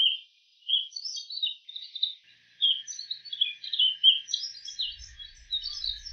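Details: Wild bull-headed shrike imitating various bird calls: separate high chirps and short twittered phrases, becoming quicker and more jumbled, with a faint low rumble near the end.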